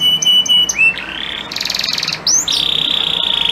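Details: Male canary singing to a female ready to mate: steady whistled tones, a buzzy rattling trill, then a sustained high rolling trill.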